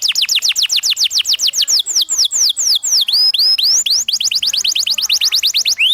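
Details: Canary singing energetically as a master song for young canaries: rapid series of sharply descending whistled sweeps, repeated several per second, broken by slower swooping rising and falling notes, then another fast run of falling sweeps.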